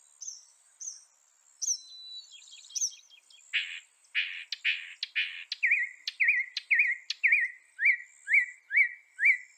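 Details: Northern mockingbird working through varied phrases: high thin slurred notes, then harsh buzzy bursts, then a series of rising whistled upslurs, each repeated several times before the next type begins.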